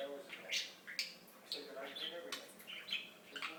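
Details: Talking budgerigar kept as a pet, fast mix of sharp clicks, squeaky chirps and mumbled speech-like warbles running without pause.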